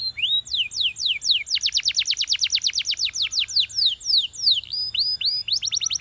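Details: Canary song from a champion singer. Falling whistled sweeps lead into a long, steady trill of rapid, evenly spaced notes, then change to looser slurred and rising whistles.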